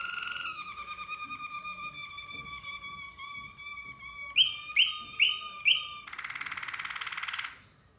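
A Malinois canary sings steady, fluted rolling tours, then four quick rising whistles and a softer gurgling roll. No other sounds stand out.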